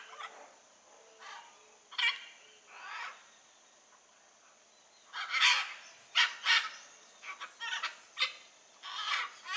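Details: Blue-and-yellow macaws calling in nature: scattered harsh squawks, then a louder dense burst of rasping calls in quick succession during the second half.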